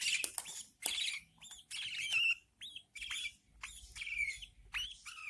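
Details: Budgerigar chicks, newborns in captivity, being fed by their mother; a busy run of high, scratchy chirps and short rising squeaks, some buzzy, come in uneven bursts with brief pauses.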